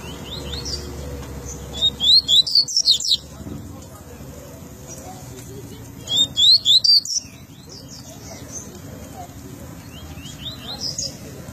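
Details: Double-collared seedeater from Rio de Janeiro giving tui-tui song: two short bursts of high, sharp, rapidly repeated whistled notes about four seconds apart, with quiet low hum between phrases.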